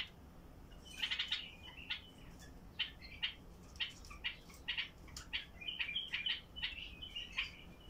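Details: Bulbul of the Basra type singing to encourage other bulbuls to sing: a steady series of short bright whistled notes, roughly one or two a second, over a hissy background.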